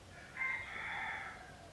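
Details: Wild red junglefowl living peacefully at a pagoda near Teuk Chob Khnar Po Community Forest, Siem Reap, Cambodia. A single drawn-out, harmonic crow-like note holds steady for about a second, then fades, over faint background hiss.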